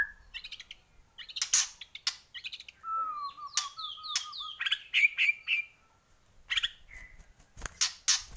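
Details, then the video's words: White-rumped shama of the Borneo form singing energetically: scratchy high chatter and sharp clicks, a long level whistled line with small wavers, then cascading high notes and more harsh bursts. "Murai Borneo Gacor"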